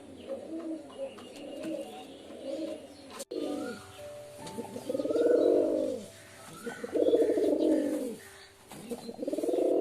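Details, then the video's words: Pigeon giving deep, rounded coos. Each one rises and falls in a smooth arch. A sharp click cuts in early, then the coos come in long swelling phrases with short gaps. "Pigeon Sound Effect 🦅 Pigeon Sound 🦅 কবুতরের ডাক"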